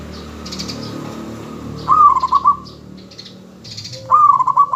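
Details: Lure zebra dove of a local strain, singing actively to make other doves answer. Background hiss and scattered faint high clicks come first, then two rolling phrases of rapid, stuttered cooing notes about two seconds apart.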